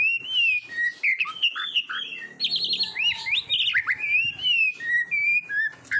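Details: Oriental magpie-robin singing for use in training competition birds: loud, fluting whistles and scratchy, buzzy notes alternating in a varied, continuous flow, with sweeping slurs and a few harsher rasps mid-phrase, faint low hum behind.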